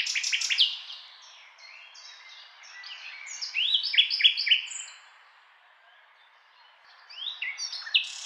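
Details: Common nightingale singing: rapid descending buzzy notes open the phrase, then a quiet stretch, a burst of sharp repeated chirps and whistles mid-clip, fading out before a final flurry of high twitters.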